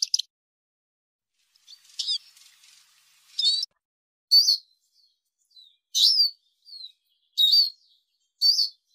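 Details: Arabian babbler calling, a recording meant for training and hunting: a loose series of sharp high chirps with quick downward-sliding whistles, growing louder and repeating every second or so, no other sounds.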